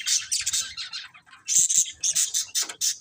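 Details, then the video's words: Budgerigars chirping: dense bursts of high, buzzy chirps and short squawks in quick succession, with brief pauses between clusters of notes. "Beautiful Budgies Chirping Sounds"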